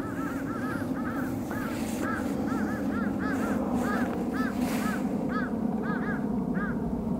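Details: Red-crowned cranes, a protected natural monument and endangered species, give loud, arched, bugling honks in quick overlapping bursts, several birds calling together over a steady low rumble of background noise.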